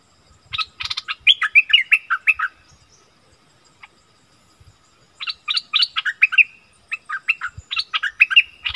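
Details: Wild striated bulbuls arguing fiercely: two bouts of fast, bubbly chattering phrases with rolling downslurred notes, separated by a pause of about two seconds, recorded 8 February 2021.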